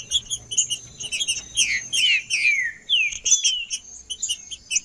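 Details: A singing male green-winged saltator, macheando song used for warming up: after scattered high chirps, three or four bright whistles glide downward in the middle of the clip, while other birds twitter continuously.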